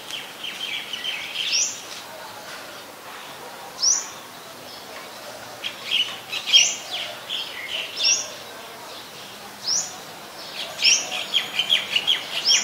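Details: White-vented myna recorded 17 July 2020 in Ubon Ratchathani, Thailand, giving steeply rising whistled notes every second or two, mixed with clusters of rapid, scratchy chatter that speeds up toward the end.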